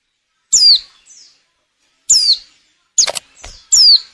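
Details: High, downslurred calls from a breeding-condition female white-eye, used to make males sing for luring, some followed by a softer trailing note, with a brief rattling, clicky burst midway.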